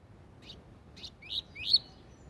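Double-collared seedeater song: four high, quick notes building in loudness, the last two sweeping upward in a bright 'tui tui zel zel' phrase.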